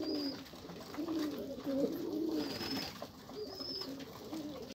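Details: Pigeons, seemingly indoors, make soft low coos in short bouts, while a thin high whistle-like tone recurs three times in the background.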